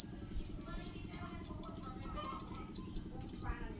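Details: Young sogon bird chick calling in quick, thin high-pitched peeps that speed up into a rapid run of chirps, with a steady low hum underneath.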